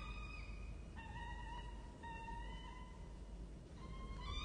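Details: Peregrine falcon chicks give drawn-out, whining begging notes, each held about a second with slight bends in pitch, over a steady low rumble, at feeding time in their nest on a university campus in Orange, Australia, 23 October 2023.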